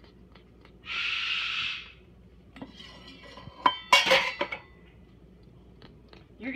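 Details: A short hiss, then the clinking and clattering of dishes and cutlery in a small room, with a few faint voice-like sounds.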